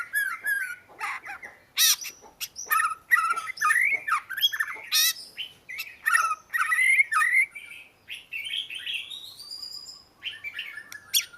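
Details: Oriental magpie-robin song: a rapid, varied run of whistled, slurred and scratchy notes, some rising and falling sharply, with short harsh bursts between phrases.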